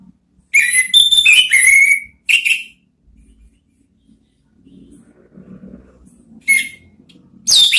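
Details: Orange-headed thrush singing in the ngeriwik style, offered as a lure for prompting ngeplong notes: a burst of bright, varied whistles and chirps for two seconds, a short pause, then two brief high phrases, with faint low murmuring between.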